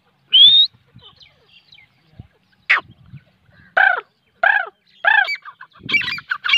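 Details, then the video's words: A francolin (teetar) gives loud, harsh, nasal notes that come faster toward the end, after a single thin rising whistle at the start. "teetar ki boli | teetar voice | teetar ki awaaz | teetar | francolin voice"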